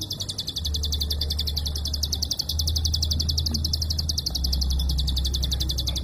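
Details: Prinia klik call in a long, close-set run of high ticking notes with barely a break. A loud low hum continues beneath throughout.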